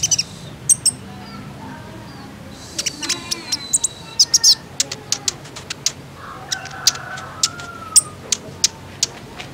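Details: Female sunbird (kolibri ninja) calling, used to provoke males into singing: sharp, high chirps and clicks scattered irregularly, with a thin drawn-out whistle in the background.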